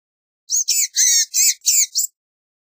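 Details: Six thin, nasal, wheezy notes from a blue-gray gnatcatcher, run closely together over about one and a half seconds, each with a fainter lower buzzy tone.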